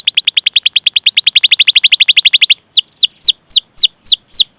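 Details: Canary chirping and trilling to lure other canaries into song: a rapid string of high, falling notes for two and a half seconds, followed by slower, separate downward-sliding whistles.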